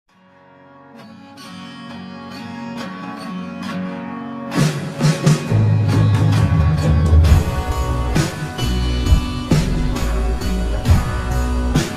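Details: Loud rock-style music with guitar and a heavy low rhythm fills the recording, with no animal sounds.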